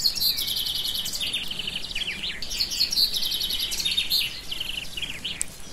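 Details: Bird song the uploader believes is a nightingale: rapid, varied bursts of sharp chirps, trills and whistled notes in quick succession, loud and high, over a faint background hiss.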